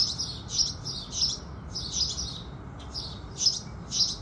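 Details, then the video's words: House sparrows chirping with the rising sun in the morning: bright, high chirps in clustered bursts about every half second, over a steady low background rumble. "Sparrows Singing"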